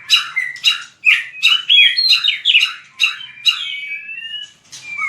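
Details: White-rumped shama singing competition-style song, with repeated sharp chip-like notes spaced roughly half a second apart, mixed with bright whistles, then a long, smooth rising-and-falling whistle.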